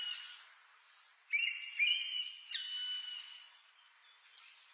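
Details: Black woodpecker (Dryocopus martius) gives two drawn-out, plaintive calls, each about half a second long, high and ringing with a nasal edge, over faint background hiss.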